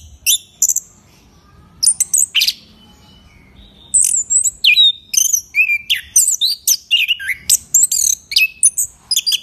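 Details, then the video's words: Champion Orange-headed thrush kept in a cage, winner of a presidential cup in Yogyakarta, giving clear ngeplong song: a few scattered high notes, then from four seconds a dense run of downslurred whistles and chattering phrases. "Anis Kembang Gacor Ngeplong ISTIMEWA"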